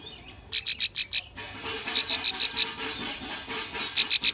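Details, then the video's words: Lure song of a bar-winged prinia for training young birds: quick runs of high, clipped notes, five then seven then four, over a hazy hiss. "PANCINGAN SUARA CIBLEK AMPUH COCOK UNTUK BURUNG BAHAN"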